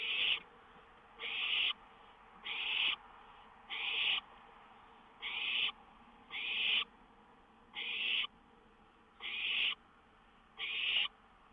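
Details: Owl perched on a lookout at 1:06 AM on May 19, 2013, leaving quickly when a songbird flew up nearby; nine harsh, hissing, raspy bursts, each about half a second, repeated steadily every 1.3 seconds over a quiet background.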